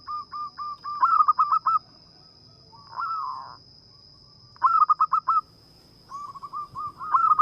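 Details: Local zebra dove song, used for luring birds: several bursts of short, even staccato coo notes repeated rapidly, with a softer rolling phrase between them and a faint steady high tone in the background.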